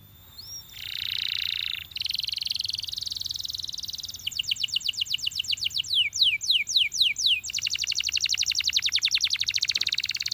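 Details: Canary from a champion line singing a sequence of dense buzzy rolls, then clear repeated down-slurred whistles and a long fast trill of evenly spaced notes, all high-pitched.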